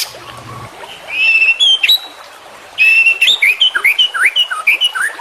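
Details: Full-content white-rumped shama song for training birds: a short quiet opening, then sustained whistles and a burst of fast down-slurred and up-slurred notes with high clicks.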